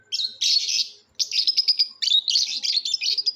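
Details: Lovebirds giving natural calls; dense bursts of high, shrill chattering chirps in rapid trills, with a brief pause after the first second, in a quiet setting.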